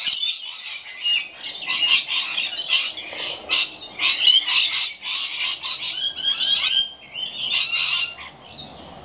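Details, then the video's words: Several rainbow lorikeets in a noisy flock, rapid bursts of shrill screeching and squawking with short pauses, some rising slurred shrieks near the end. "Rainbow Lorikeets"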